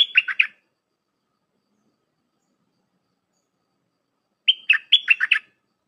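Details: Song of a Red-whiskered bulbul used to teach young birds, packed with 'dok' notes; a phrase of quick whistled, warbling notes ends one burst, a pause follows, then a second lively phrase of about six notes.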